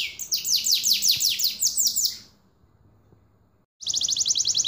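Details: Canary (kenari) singing a fast run of bright downward-sweeping notes, about three a second, then a pause of over a second before a rapid, high, even trill starts up.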